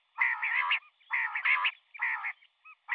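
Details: Female common quail, morning calling: three long, harsh, buzzy double notes spaced just under a second apart, each followed by a tiny soft pip.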